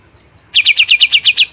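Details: Short phrase from a greater green leafbird: after half a second of quiet, eight quick, evenly spaced bright notes in a tight row.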